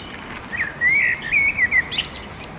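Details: Common blackbird male at sunset by a railway footbridge in Oradea, singing to hold territory: a rich, mellow warble of linked fluty notes, then a sharp high chattering flourish near the end.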